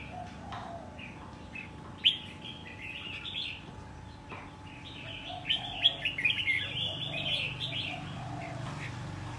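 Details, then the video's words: Red-whiskered bulbul, caught wild and caged a year before being judged fit for contests, sings busy chattering warbles that build into a dense burst of bright notes, with scattered clicks and knocks. "chào mào bổi sau một năm có thể thi đấu được"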